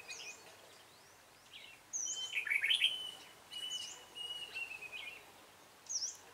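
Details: Red-whiskered bulbul in a trapping session on 28 February 2017, with a decoy bird calling wild bulbuls; a loud, rich warbled phrase mid-clip among thin, high chirps from several birds and a drawn-out whistled note.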